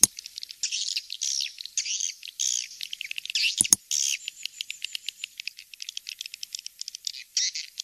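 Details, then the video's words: Swiftlet lure call of the "Kings Star" type, played to attract swiftlets: dense high-pitched twittering and buzzy chirps in rapid bursts, with fast dry clicking between them and two brief sharp knocks midway. "suara panggil walet kings star"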